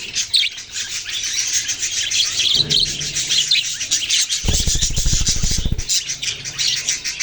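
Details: Baby budgerigars chirping in a dense, busy chorus of high, scratchy tweets that overlap without pause, with a brief low rumbling noise in the middle.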